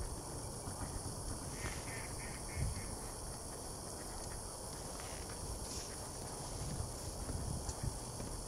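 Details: Mallards near a lake: a quick run of five short, nasal quacks early on, then quiet, over a steady hiss and faint low rumble.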